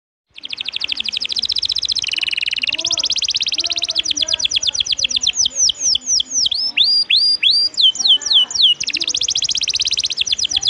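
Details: Canary singing a loud, fast song used as training material for competition birds: rapid trills of sharp repeated notes, then a series of sweeping whistled slurs rising and falling, returning to dense buzzy trills.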